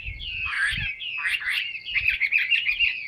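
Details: A large, tame Chinese hwamei that sings a lot pours out a loud, rich, fast-changing warble of clear whistles and slurred notes, with a few soft low knocks beneath.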